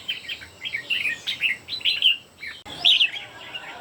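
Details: Competitive song from three red-whiskered bulbuls: a run of warbling, slurred whistles about once per second, a brief break, then a louder bright phrase.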